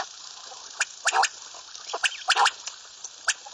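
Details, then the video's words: Common quail repeating sharp, clipped notes in quick groups of two or three, several bursts in a few seconds over a quiet hiss. "Bater Ki Latest Awaz, Batair ki Awaz, Bater , Bater fight, Bater voice , Common quail"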